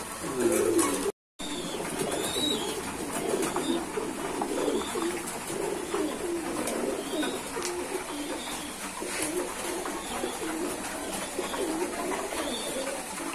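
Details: Several domestic pigeons kept by a hobbyist give steady, low, bubbling coos that overlap continuously, with a brief cut of silence near the start and light rustling behind.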